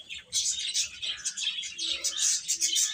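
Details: Young chickens chirping as a group, continuous overlapping high-pitched peeps with steady loudness and short rapid notes throughout.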